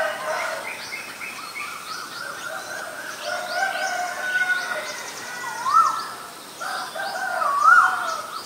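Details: Asian koel, male and female, with a few rising whistled notes toward the end amid a busy chorus of other chirping birds and steady background noise.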